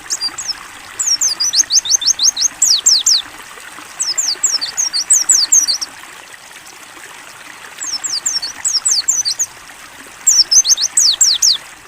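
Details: Clear ngalas-style Mountain white-eye song for bird training, open-beak phrases of fast, thin descending whistles in four groups of six to ten notes, pauses between them filled by the soft sound of running water.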